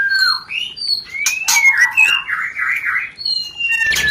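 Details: White-rumped shama rencetan call for stimulating mating: clear whistled notes at different pitches, a sliding upward whistle, then a wavering chattering phrase, more pure whistles and a final harsh burst.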